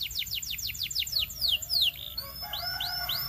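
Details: Male Belgian canary song: a quick series of descending whistled strokes that slow and lengthen, followed by a short buzz and three spaced rising slurred whistles.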